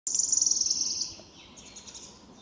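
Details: Wood warbler singing at Lübeck on 13 May 2023: a rapid, high, shivering trill of ticking notes lasting about one second, loud and close, then quieter background birdsong.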